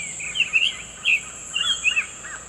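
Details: In the wild, a Summer Tanager sings short, slurred whistled phrases in quick succession, rising and falling, over a steady high insect hiss.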